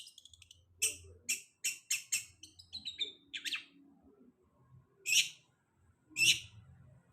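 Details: Long-tailed shrike used as a lure after moulting: a few rapid harsh notes, then a series of loud scratchy chirps about half a second apart, a brief squeaky twitter, and two isolated rasps later, with faint low murmuring.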